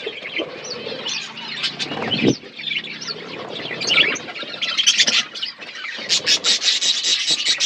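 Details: Budgerigars eating food in an outdoor aviary, a busy flock chorus of chattering chirps, warbles and rapid clicking notes with brief squawks and bursts of wing flapping.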